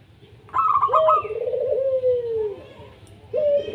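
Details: Local zebra dove singing, used to draw lazy doves into song: a brief rapid staccato run, then a long lower rolling coo that slowly falls, and a second low coo starting at the end.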